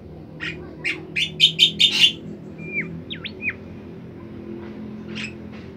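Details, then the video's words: Bimoli bird in full, sweet song, recorded as training material for other songbirds: a fast series of bright buzzy notes, then three clean swooping whistles, fading to faint chips. "masteran burung bimoli sangat merdu dan gacor"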